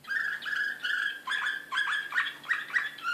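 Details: Excited Serbian singer canary from Belgrade, 2016, giving steady mid-pitched rolled notes interspersed with short rising chirps, delivered in an even rhythm.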